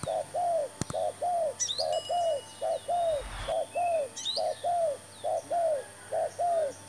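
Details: Spotted dove calling during a trapping session with a newly brought decoy bird, giving soft, hollow coos in paired phrases repeated steadily about once a second, with faint high chirps from other birds and a sharp click near the start.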